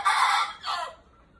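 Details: Red junglefowl rooster kept as a decoy bird: a short, hoarse crow in two bursts, the second lower and fading, in a quiet setting.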